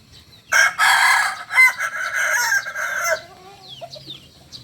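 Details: Harsh, loud crowing from a Solok-native Kukuak Balenggek rooster lasts about two and a half seconds in rough, rasping bursts, then small birds chirp quietly in the background.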